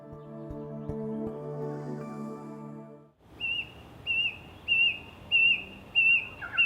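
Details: A Brush Cuckoo near Darwin in Australia's Top End, in the dry season, between mangroves and drier bushland, gives its penetrating breeding-season call after eating a caterpillar: six clear, high whistled notes, one about every two-thirds of a second, after soft instrumental music.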